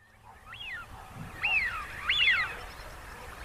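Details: Wigeon giving clear whistled calls, each sharply rising then falling, with one soft note followed by two louder drawn-out whistles, over faint low background rumble.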